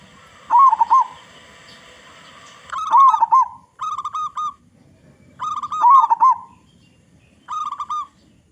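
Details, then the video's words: Local zebra dove with a strong voice, used as a lure to make other doves sing. It gives loud, resonant coos in bursts about every two seconds, mixing wavering notes with crisp repeated short notes. "Perkutut Lokal Gacor Suara Besar Suara Paling di Sukai Burung Perkutut apa saja"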